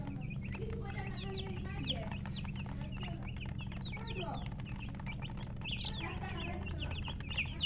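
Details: Baby chicks chirping: many high, quick, rising and falling peeps overlapping throughout, over a steady low hum.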